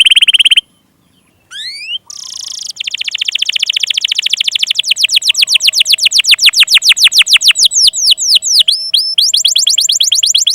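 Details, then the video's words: Canary lure song for juveniles and birds that have gone quiet: opening trilled notes, a pause, a rising sweep and buzz, then a long accelerating roll of rapid repeated notes that loosens into distinct downslurred whistles. "burung kenari pancingan paud dan yg macet"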